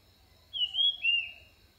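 An orange-headed thrush gives two clear whistled song phrases, the first high and wavering, the second slightly lower, against a quiet background hum.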